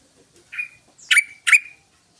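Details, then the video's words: Yellow-vented bulbul song, used as a lure to draw other bulbuls: three short harsh, chattering notes, the first alone, then two louder ones about half a second apart, in a quiet setting. "TRUCUKAN SUARANYA COCOK UNTUK PANCINGAN BURUNG TRUCUKAN"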